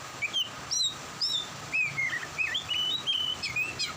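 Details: Oriental magpie-robin singing more actively during rain: a continuous run of clear, varied whistled phrases, some rising, some falling, some slurred, delivered in quick succession over a steady background hiss.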